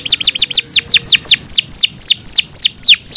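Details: Training song for captive canaries: a steady series of bright, high whistled notes, each sweeping sharply downward, delivered about two per second with strong echoing clarity and no other sounds.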